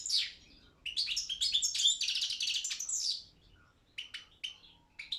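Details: Competition-bred Balkan goldfinch, Carduelis carduelis balcanica, in an internet world championship of goldfinch song: a rising sweep into a long fast twittering trill lasting about three seconds, followed by a few separate sharp chirps.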